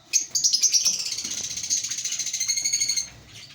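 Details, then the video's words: An African lovebird breeding colony gives a steady three-second run of fast, buzzy, high chirps, evenly pulsed like a rattling trill, before it fades to faint calls. "Lovebird Singing & Chirping Sounds"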